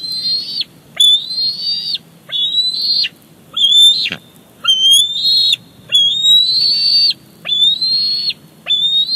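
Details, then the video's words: Bald eaglet squees insistently as its mother brings a fish to the nest at Big Bear Lake; a rapid string of high whistled notes, each with a quick rise and sharp falling tail, nearly continuous. "Simba in for Mom's fish delivery."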